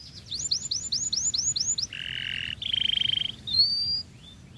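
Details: Canary in full song, used to provoke other canaries to sing: a rapid series of looping whistled notes, then buzzy trills around two to three seconds and a high sweeping phrase near the end.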